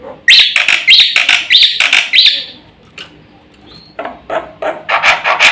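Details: Black-winged myna singing vigorously with a full repertoire for luring and training birds; four loud upswept whistles with rasping edges come in a quick row, then a quieter gap and renewed scratchy notes.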